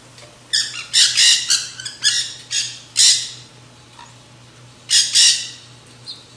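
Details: Black-hooded nanday parakeets eating seed mix at a backyard feeder give grating, raspy screeches in quick clusters, then a pause and two more harsh shrieks near the end; a faint low hum runs throughout.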